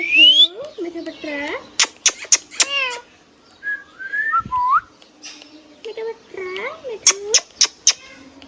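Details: Pet green parrot, hand tame, talking in quick speech-like bursts, wavering harmonic syllables, a high rising whistle at the start, a mewing note midway and a rapid series of sharp clicks near the end.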